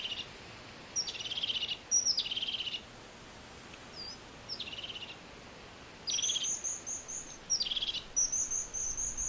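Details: Crested tit (Lophophanes cristatus), call.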